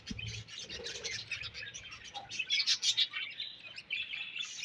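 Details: Soft but steady budgie chattering: rapid high chirps and warbled notes run throughout, a few louder squeaks near the middle.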